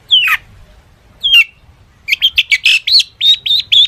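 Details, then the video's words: Long-tailed shrike singing a mimicry-rich song meant to set other shrikes singing: two separate falling whistled slurs, then a fast run of short chirpy notes repeated several times a second. "cendet gacor FULL ISIAN buat pancingan cendet agar bunyi"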